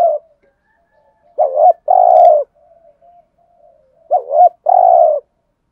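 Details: Decoy spotted dove giving its lure call: two mellow phrases, each two rising coos and a long even croo, separated by faint low murmuring.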